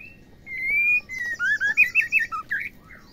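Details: Female white-rumped shama call meant to provoke males to sing: a long clear whistle, then a quick run of short, bright, slurred whistled notes in steady succession, over low background hiss.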